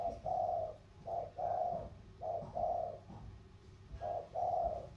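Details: Competing thổ-style spotted doves, one from Sóc Trăng's river plain, one from Cam Ranh's hills; steady low coos in four pairs, each a clipped note leading into a longer, rounded one, about one pair per second.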